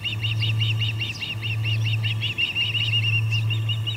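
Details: Osprey at the Charlo P2 nest on August 21, 2020, 4:15pm MDT, with three ospreys present, one flapping while another flies: a fast, steady run of whistled chirps, about four per second, over a constant low electrical hum.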